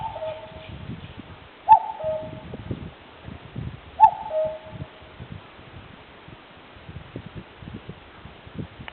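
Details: Common cuckoo calling in a woodland where wild birds live, recorded with a digital camera. It gives clear two-note falling cuck-oo calls, a few seconds apart, over soft background rustling and clicks.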